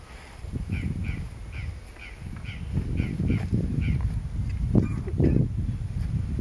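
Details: Yellow-billed cardinal, subspecies capitata, at Pouso Alegre in Brazil's Pantanal, giving a run of short, rich notes repeated about twice a second, with crested oropendola present and strong low rumbling background noise.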